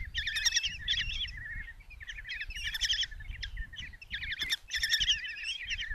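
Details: Five common kestrel chicks begging in a nest box in Tiszalök, Hungary, on June 27, 2024, as their mother brings a mouse for breakfast: shrill, rapid trilled squeals in overlapping bursts over low rumbling background noise.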